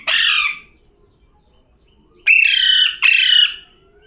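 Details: Pet parrot talking: one harsh, nasal syllable, a pause, then two longer grating, voice-like syllables in quick succession, loud against a quiet background.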